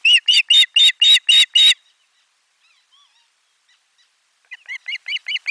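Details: Osprey at nest 4, 12 July 2022, lunch fish delivery: seven ringing whistled chirps in quick, even succession, a near-silent gap, then a softer, quicker run of thinner chirps.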